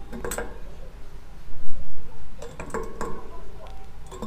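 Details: Glass and cutlery clink in a small room while a person speaks briefly, with no animal voice heard.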